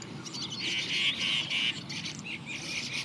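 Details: Juvenile Indian chat producing high, squeaky, slightly buzzy chirps in quick succession, some drawn out and wavering, against a quiet low background rumble.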